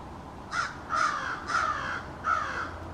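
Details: Four hoarse caws in a loose series, roughly every half second to second, from American crows of a small backyard family holding an extended conversation with subtly different individual calls.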